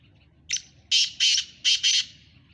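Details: Black francolin (kala teetar) giving its morning call: a short harsh note, then four loud, grating, buzzy notes in two close pairs over about one and a half seconds, above a faint low hum.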